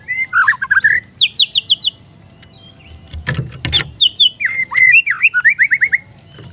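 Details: Untrained young oriental magpie-robin at a bird stall, lure song: rapid chattering trills, a series of descending whistled notes, loud varied phrases of repeated chirps, with two brief knocks midway.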